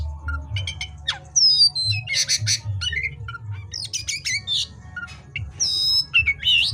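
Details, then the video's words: Lively oriental magpie-robin song after dark: crackling click series, harsh scratchy bursts and sweet whistled glides, some sharply falling, delivered rapidly over a soft low rumble. "suara KACER GACOR di malam hari"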